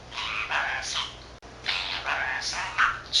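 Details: Mimicking budgerigar, a 13-month-old male that speaks Korean and Japanese, chatters to himself. Two runs of word-like, vowel-rich raspy syllables separated by a short pause, ending in a squeaky note.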